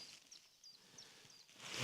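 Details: Eurasian blue tit (Cyanistes caeruleus) calling unseen from bushes on a crisp April morning in western Norway forest: faint, thin, high notes, each slightly falling, about three a second, over low outdoor noise and a rustle at the end.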